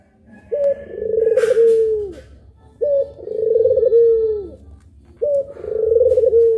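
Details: Puter pelung dove, one of two birds recorded as a training tape: three long cooing phrases, each opening with a short high note, then a low trembling, wavering coo that slides downward, repeated about every two and a half seconds.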